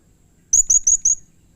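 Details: Blue-crowned hanging parrot calling aggressively, a caged bird meant to provoke others to answer. Four quick, very high, thin whistled notes in under a second, clean with little else heard.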